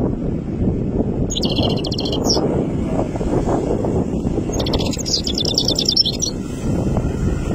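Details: Goldfinch chick, three months old, singing powerfully: two high, rapid twittering phrases, the first about a second long, the second longer and denser, with a constant low background hum between them.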